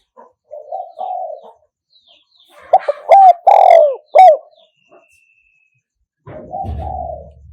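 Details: Spotted dove cooing in the one-kuk style used as playback to lure birds: a soft low warbled coo, then loud clipped hooting notes that bend downward, and another soft coo with a low thump at the end.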